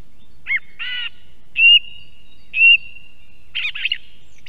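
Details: Song thrush singing near an osprey nest camera in Estonia: a varied run of short, bright phrases. A clear whistled note repeats twice a second apart, mixed with rougher, chattering notes over a faint background.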